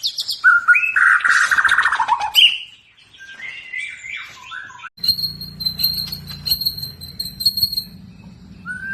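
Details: Medan-type white-rumped shama delivering varied whistled phrases, some rising and falling, followed by a thin high repeated tonal series over a low steady hum.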